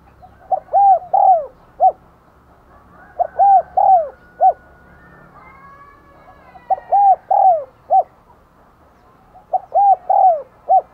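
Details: Spotted dove used as a decoy, calling wild birds with steady cooing: four repeated phrases, each a quick short coo, two drawn-out mellow coos and a clipped final note, spaced about three seconds apart.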